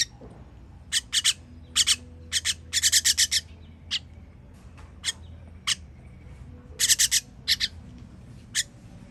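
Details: Nestlings calling as they are fed, recorded 21.06.23. Scattered single and grouped rasping, hissy squawks, some in tight clusters of four to five, separated by longer quiet gaps over a faint low hum.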